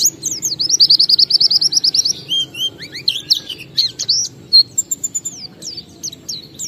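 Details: Oriental white-eye (pleci) singing the ngalas style joined with wiksar chatter, played to prompt other white-eyes to sing; high rapid trill of repeated slurred notes, then varied sharp chirps and whistles.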